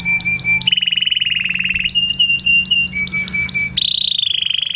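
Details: Canary singing loud and clean: fast rolling trills held at steady pitches, switching abruptly from one trill to the next, a rapid chopping roll in the middle, and a higher, brighter trill at the close.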